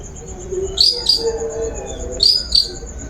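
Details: Long-tailed shrike sound for luring a bird into song: paired high sharp chirps, two pairs about a second and a half apart, over a quiet hum.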